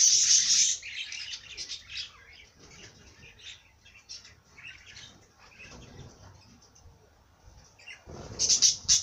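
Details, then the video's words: Bird sound opening and closing with loud bursts of high twittering, while softer scattered chirps fill the quieter middle stretch. "Bird sing song madár ének"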